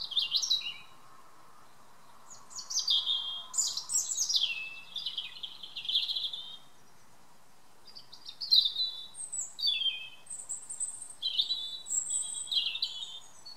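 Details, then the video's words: Evening song of a European robin in a garden, delivered as several separate phrases of clear, liquid, wavering notes, each phrase followed by a brief silence, with a faint steady hum underneath. "A Robin's evening song."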